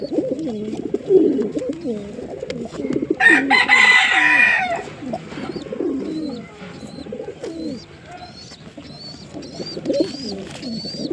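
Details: Several pigeons give deep bubbling coos in overlapping bursts. A short broad rustling flurry comes partway through, and a thin high whistled note repeats faintly above.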